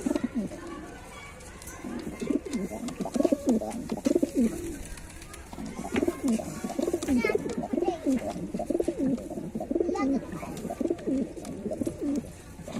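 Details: Flock of white pigeons giving continuous overlapping low gurgling coos indoors, a steady murmuring chorus with scattered clicks and background noise.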